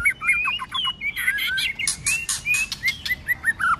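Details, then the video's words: Fighting song of a white-rumped shama, stimulated in the cold season to sing hard with tail flicking: dense scratchy chatter and clicks, then a series of short rising whistles repeated several times per second. "kích chòe Lửa hót đấu"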